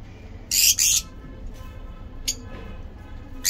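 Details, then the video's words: Captive breeding lovebirds giving two loud harsh screeches in quick succession, then a couple of short sharp chirps against a low hum. "Lovebirds singing lovebird talking"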